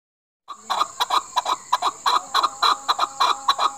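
A chukar gives a quick run of hoarse, clucking chuk notes, about three a second, over a faint steady high whine.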